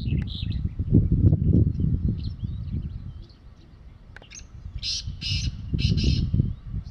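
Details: Wild black francolin calling in the evening from the top of a mud mound: a late series of loud, harsh, grating notes, three to four in quick succession, over low wind rumble and faint chirps of small birds.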